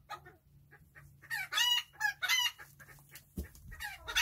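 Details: Chickens enjoying their day, described as tiny birds, giving quick harsh squawks in a cluster, then a thump and more rising calls, over a faint low hum.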